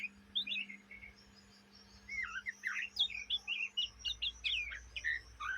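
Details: Young Oriental magpie-robin from Kalimantan, Indonesia, chattering in the ngriwik style kept up day and night: a rapid run of whistled, slurred notes and short buzzy phrases, mostly high-pitched, with a low steady hum beneath.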